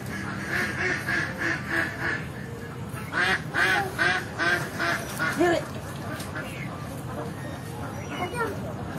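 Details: Many native ducks running in water call out with harsh, nasal quacks in quick bursts, several series over nine seconds with brief pauses, some overlapping, over a constant low rumble.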